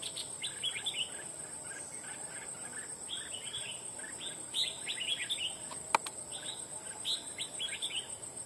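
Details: Wild red-whiskered bulbul recently trapped for fighting, singing series of quick chirpy warbled phrases in clusters, one sharp click midway, over a steady high-pitched insect drone.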